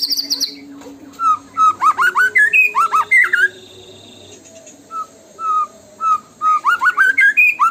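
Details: White-rumped shama song in the tembakan style, used as a lure to set other shamas singing: bursts of loud, rapid whistled notes that rise and fall, with slurred upsweeps and short steady tones, separated by a brief pause.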